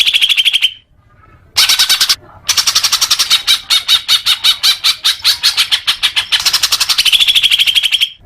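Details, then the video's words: Playback to make caged birds sing more, with a greater green leafbird giving a whistled trill, then long fast rattling series of harsh repeated notes with short pauses, ending on a sustained whistled trill. "Suara Cucak Hijau Biar cepat gancor"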